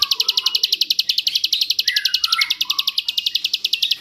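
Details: Master song of a bar-winged prinia in 'jerih' style with long rapid 'ngebrend' bursts, meant for magpie robins and shamas to copy: fast, sharp, high pulses without a break, and quiet lower chirps in the background.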